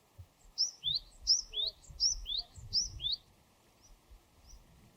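A Japanese tit sings four quick two-note phrases, a high note dropping to a lower one, repeated about every 0.7 seconds, with faint low background rumble.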